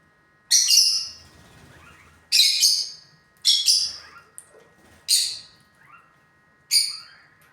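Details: Pet lutino lovebirds uttering sharp, shrill squawks, sometimes doubled, repeated at irregular intervals of roughly one to one and a half seconds, five bursts in all, with soft chatter between them.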